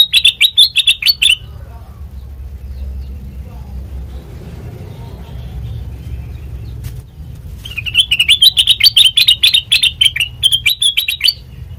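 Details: Sooty-headed bulbul singing as a training lure, two bursts of rapid chattering chirps separated by about six seconds of quiet with low background rumble, the second burst longer and more varied.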